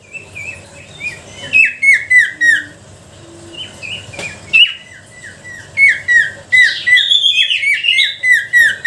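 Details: Sooty-headed bulbul singing as a lure to provoke other bulbuls: choppy, whistled phrases of downslurred notes in short bursts, becoming a dense, excited bubbling toward the end.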